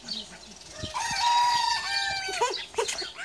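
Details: Small, docile Japanese Bantam rooster crowing: a single drawn-out harmonic crow, rising then held steady for about a second and a half before breaking off, with faint chirps and rustling around it.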